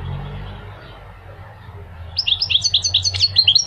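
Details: Goldfinch song: after nearly two seconds of low background hum, a rapid run of high, bright twittering notes starts and keeps going, with quick rising and falling chirps in close succession.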